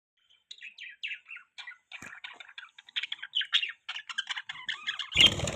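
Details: Budgerigar chirping in a rapid, uneven stream of short high chirps and warbled notes, growing denser and louder toward the end, closing with a sudden burst of broad noise.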